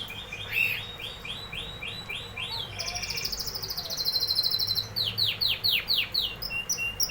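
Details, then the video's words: Canary song moving through repeated chirps, a rapid high buzzy trill, and finally strong descending whistled notes in a steady rhythm. "canary singing"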